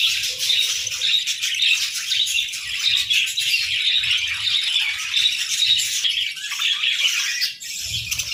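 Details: Morning chorus of budgerigars: many birds chirping at once in a bright, rasping, unbroken chatter of tweets and warbled notes, briefly easing near the end before picking up again.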